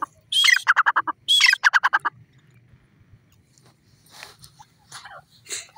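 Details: Grey francolin (teetar), male and female voices: two loud harsh phrases, each opening with a rasping high note and then four or five quick pulsed notes, followed by fainter distant calls and quiet background.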